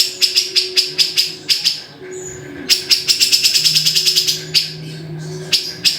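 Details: Grey-cheeked bulbul: bursts of sharp, dry ticking notes, some spaced and some in a fast rattling run, with a short high whistle in a quieter gap and low hum behind.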